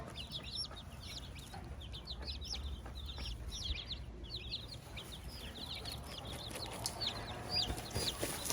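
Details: Young chicks beside their hen on a farm: rapid, irregular, high-pitched peeps, roughly two per second, over a low rumble of background noise.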